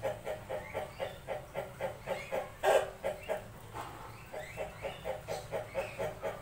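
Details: Ayam ketawa, the Indonesian laughing chicken, used as a lure to prompt other birds to answer. A long series of short, even cackling pulses, about three to four per second, sounds like laughter, with one louder burst midway and a little background hiss.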